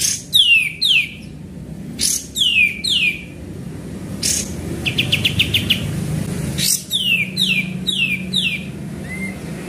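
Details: Sooty-headed bulbul in full voice, recorded as a lure: bright descending swept notes from high to mid pitch, given in quick pairs and runs, with a brief rapid ticking burst between them and a low background hum.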